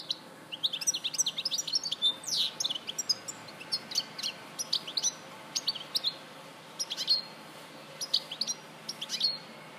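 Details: European goldfinch from Larache, 2014, giving a chattering, twittering song of fast high notes and sharp downslurred chirps, thinning into scattered phrases toward the end.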